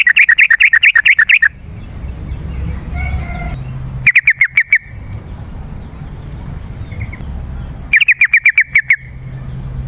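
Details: Yellow-vented bulbul singing vigorously, a song used as a lure for wild birds. Three bursts of rapid, bubbly warbled notes, about ten per burst and each burst lasting over a second, separated by quiet gaps with a low background hum.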